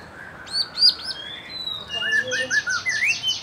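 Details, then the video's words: Young white-rumped shama, wild-caught and fledgling birds provoked to sing: high sweeping whistles, a run of fast buzzy repeated notes and short rising slurs in a brief varied phrase. "Mancing emosi murai batu bahan muda hutan dan trotolan cepet ngeplong"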